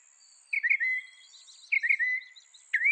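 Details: Mockingbird singing two drawn-out slurred whistles with a chirpy start, followed by a sharp note at the end, with a soft high hiss behind.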